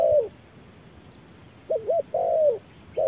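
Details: Spotted dove answering an electronic lure at midday in fierce sun; soft, hollow coos with a brief wavering double note followed by a longer sliding, downward-bending coo against a quiet outdoor background.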